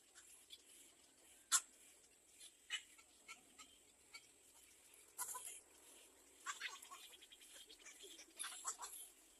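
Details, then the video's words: Begging little egret chick asking its mother for food; a few isolated sharp rasps, then a longer stretch of rapid stuttering harsh chatter toward the end. "Little egr bird wants to bite its mother for food"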